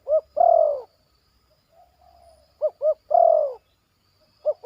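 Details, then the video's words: Zebra dove, a young bird in training, calling in a yard with 'batuk' and 'poin' phrases. Short paired arched notes lead into long falling purred coos, the phrase repeating about every three seconds over a low hum. "SENANGNYA HATI KALAU AJARAN SUDAH BATUK DAN POIN DI LAMAN"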